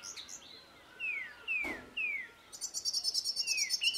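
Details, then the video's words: Cape robin-chat in a garden, singing melodies and mimicry and scolding a juvenile boomslang: clear, slurred whistles falling in pitch, about one per half second, then a fast high twittering series; a brief click near the middle. "CAPE ROBIN-CHAT'S melody, mimicry and scolding"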